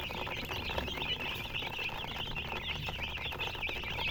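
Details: Steady chorus of thin, high cheeps from colour chickens, overlapping squeaky notes running without break, over faint pattering and low hum.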